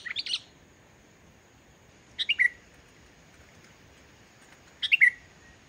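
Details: Sooty-headed bulbul singing vigorously without mimicked inserts, used to lure reluctant bulbuls into singing: three short phrases. The first is high and buzzy. The next two are descending three-note whistles spaced about two and a half seconds apart, over faint steady hiss.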